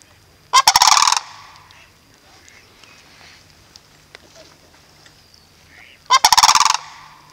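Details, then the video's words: Two bursts of the sandhill crane's loud rattling bugle at Reifel Bird Sanctuary, about five seconds apart, with faint background bird calls in the quiet gap. "sandhill cranes at riefel bird sanctuary"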